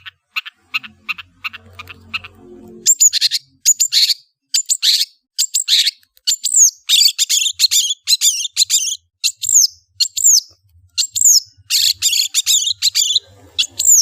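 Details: Long-tailed shrike singing in a rapid chattering style: sharp high chips repeated fast, then dense bursts of varied squeaky, whistled and scratchy notes with some downslurred whistles, continuing almost without pause; faint low rumble early on.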